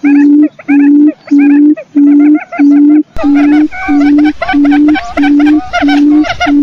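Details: Quail used as a lure: at first spaced groups of ringing chirps, then denser overlapping chatter, all above a steady low pulsed tone repeating roughly every 0.65 seconds.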